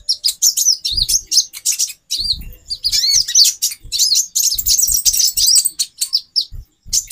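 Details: Used as therapy to raise a male konin's mating drive, a female kolibri ninja twitters almost without pause: fast, high, wavering chirps and squeaky trills, with scattered low thuds in the background.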